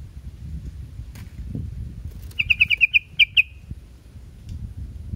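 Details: Yellow-vented bulbul, known locally as trucuk: a quick series of about eight sharp, even chirps in a cluster of under a second, with a faint low rumble of background noise.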